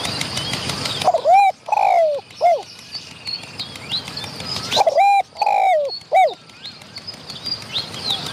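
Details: Wild spotted dove answering a decoy bird, having come close to chase off rival wild doves; two phrases of mellow, throaty coos, each a short rising note then a longer drawn coo and a clipped ending, with faint chirps and insect hiss behind.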